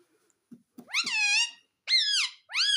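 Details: Pet parrot in a small room giving three loud, rich, nasal calls, each sweeping up then bending down, preceded by a few soft low clicks.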